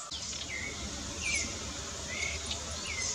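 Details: Two Blue-black grassquits (tiziu) dispute in the bush, trading short, buzzy, upslurred notes about once a second over a steady insect-like hiss.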